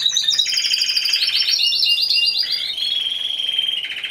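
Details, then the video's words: Timbrado Español canary competing individually in category C2 at a singing show on 26 November 2015. Loud layered trills shift between high and lower pitches in rapid pulsed rolls, with a brief lower buzzy segment midway. "Καναρινιών Φωνής Timbrado Español"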